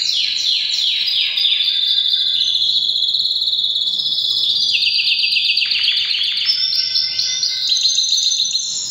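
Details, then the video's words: Breeding-season canary in full song: descending swept notes repeated quickly at the start, then long high rolling tours shifting pitch every second or two, loud and continuous. "Canary bird most powerful singing during breeding season"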